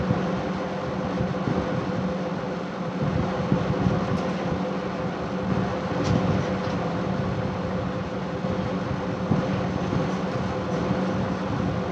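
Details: Steady low mechanical rumble like a vehicle or train, with no animal calls. The droning noise stays even throughout, with faint hum tones and no birdsong or other voices.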